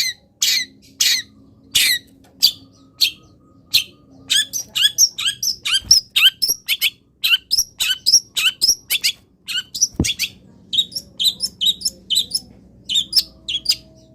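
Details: Caged long-tailed shrike in morning sunlight after being misted, giving a long varied song; loud bursts of harsh high notes, then steady repeated chirps in short groups, one brief knock midway.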